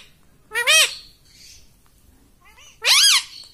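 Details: A tame parrot utters "mummy" in loud, rising-falling nasal syllables with rich overtones. One comes early, a second follows after a quiet gap, and faint murmuring sounds between them.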